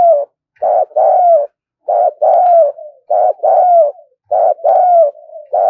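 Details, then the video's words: Very vigorous decoy spotted dove used to stir up wild doves: steady phrases of throaty coos, a short note then a longer wavering one, repeated roughly every second with soft tails between. "Chim Cu Gáy Mồi Cực Sung Dùng Kích Bổi Mới"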